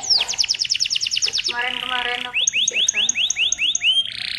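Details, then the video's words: Canary song aimed at making other canaries sing along: a series of descending whistles, a low buzzy harmonic phrase, then repeated upswept notes with an evenly spaced high ticking overhead. "Kenari Gacor Cengkok Merdu Sekali putar Kenari lain ikut Gacor bunyi"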